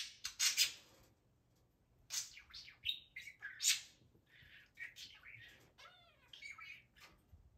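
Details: Pet budgerigar chattering excitedly to its cage toys after doing flips on command: bursts of high, scratchy warbling and sharp chirps in uneven phrases separated by brief quiet gaps.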